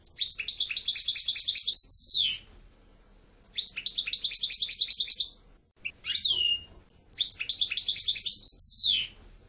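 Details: European goldfinch repeating a similar phrase three times: a fast bright twitter ending in a descending slur, with a short chirp heard between the second and third phrases.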